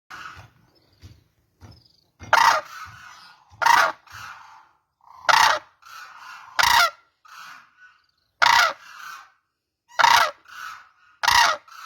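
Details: Cranes giving loud, rough, honking blasts every one to two seconds. Each blast is followed by softer, trailing, lower notes, with faint murmuring calls between them.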